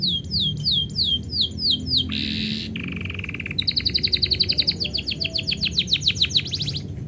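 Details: Domestic canary singing when its owner is about to leave: repeated falling whistled notes in pairs, a harsh buzzy burst, a lower steady roll, then a long accelerating series of sharp chirps.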